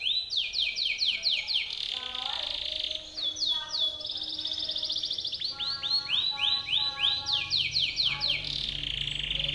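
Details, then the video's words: Timbrado canary in powerful song for training other canaries: bursts of loud upswept notes alternate with fast rolling trills and a brief steady tone, phrases changing every couple of seconds. "TIMBRADO canary singing - Timbrado canary's most powerful song for training / canary training song"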